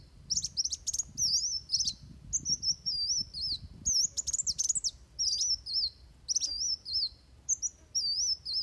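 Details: Van Hasselt's sunbird in fighting song for bird training: bursts of quick sharp clicks alternate with high, wavering squeaky whistles, phrase after phrase over nearly nine seconds.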